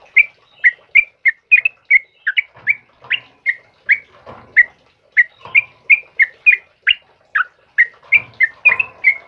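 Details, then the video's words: Sooty-headed bulbul, trucukan kebo, in active morning song: clear whistled notes repeated steadily roughly three times a second, varying slightly up and down, with light rustling below. "suara burung trucukan GACOR PAGI HARI"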